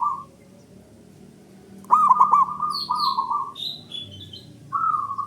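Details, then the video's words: Male zebra dove song, used as a lure to stir silent birds into singing: warbled cooing phrases, one with a rolling pulsed middle, then a final coo. Thin, high whistled notes from other birds sound between the phrases. "PANCINGAN AMPUH!!! PERKUTUT MALAS BUNYI 🔊BISU🔇 CEPAT DI RESPONS APAPUN JENISNYA"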